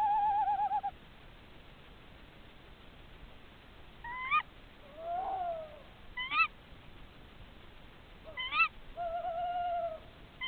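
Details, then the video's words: Tawny owl pair calling to each other during a nest check: a wavering hoot opens and closes the passage, with three sharp, rising ke-wick calls spaced about two seconds apart between them, over a faint low hiss. "Głos puszczyka."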